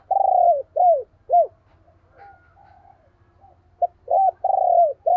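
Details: Decoy spotted dove, owned and used to provoke wild doves into cooing. A rapid run of deep arched coos, a pause with soft notes, then more quick coos and a long falling note, over a low steady hum.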